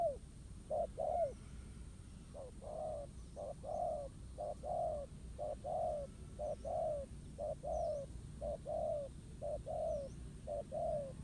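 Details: Wild spotted dove facing a ground-placed decoy in a trapping contest, cooing persistently: soft mellow double notes, brief then drawn-out and descending, about one pair per second, against low rumbling background.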